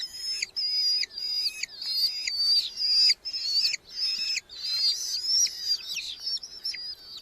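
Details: Red-footed falcon chicks in a nest box within a large colony in Hungary, July 2025, fed beetles by their parents; insistent high squealing phrases repeated roughly every half second, separated by brief silences.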